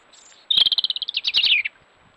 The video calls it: Robin Song